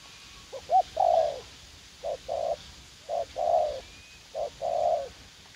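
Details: A young spotted dove serving as a trapping decoy calls in a garden in U Minh; three soft, low cooing phrases, each a short note or two followed by a longer rolling coo, about a second apart, over faint background hiss.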